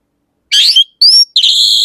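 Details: Orange-headed thrush singing three loud phrases: a rough, buzzy burst, then a clean rising whistle, then a long harsh, grating note. No background sound.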